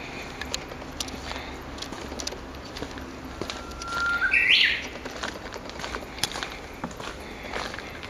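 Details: A Japanese bush warbler sings once in the woods of an ecology park on 06/12: a long, thin, level whistle that swells into a rapid, louder flourish of rising and falling notes, set against quiet woodland background.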